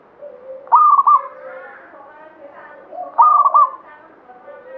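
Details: Local zebra dove of the Banyumili katuranggan type singing actively: two stepped, mellow cooing phrases about two and a half seconds apart, each a quick stutter of notes ending in a held coo, with softer lower coos from other doves behind.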